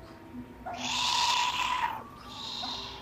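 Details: Captive southern white-faced owl with bright orange eyes in an owl cafe in Japan, calling in a monster-like voice: a loud, harsh hissing screech about one second long, then a softer hiss, over a steady room hum.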